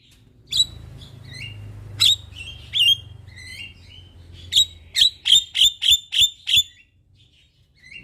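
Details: A Javan myna sings eagerly in the morning, recorded as a master and lure track: scattered squeaky whistles and harsh notes lead into a steady run of six sharp, high chips about three per second.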